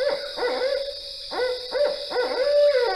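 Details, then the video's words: A Barred Owl gives its rhythmic series of deep, emphatic hoots, with brief pauses between groups, phrased like "who cooks for you, who cooks for you all." "So let's play it again just to hear it now that you have that mnemonic phrase there."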